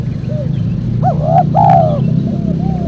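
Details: Spotted dove call used to lure wild doves: short arched, mellow coo notes with one longer drawn-out coo near the middle and faint coos around it, over persistent low-pitched background rumble.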